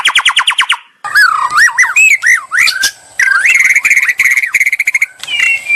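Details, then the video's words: White-rumped shama singing to provoke a rival: a rapid trill, a short silence, then looping swooping whistles, a burst of quick notes and a final steady whistle. "murai lansung moncer nglabrak penuh nyali"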